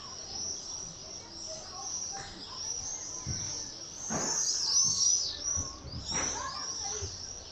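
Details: Common swifts in a screaming party: shrill, high screams overlap almost without pause, swelling louder around the middle and again near the end, over faint outdoor background noise.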